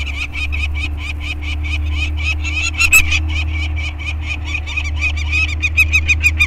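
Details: Anacapa peregrine falcons call while two 30-day-old chicks, a male and a female, are banded at their cliff scrape in May 2022, with both parents around. A fast series of rasping 'kak' notes runs throughout, above a constant low-pitched rumble.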